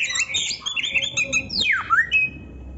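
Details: Oriental magpie-robin training song: dense scratchy warbling followed by a loud downward-sweeping whistle that turns back up into a short steady note.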